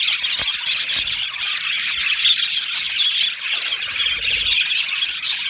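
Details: Budgerigars in a colony aviary: a dense, continuous chorus of high, scratchy chirps and warbles from many birds at once, with short sharp squeaks rising above the steady chatter throughout.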